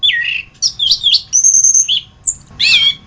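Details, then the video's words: Loud masteran tutor song of the orange-headed thrush (anis kembang): a falling slurred whistle, choppy warbled notes, a long high level whistle, a brief high note, then a rough rising and falling burst. "Masteran Burung Anis kembang"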